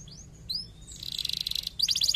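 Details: Canary song played to stimulate other canaries to sing: brief rising whistled notes, then a dense buzzy trill and a fast repeated chirping trill at the end.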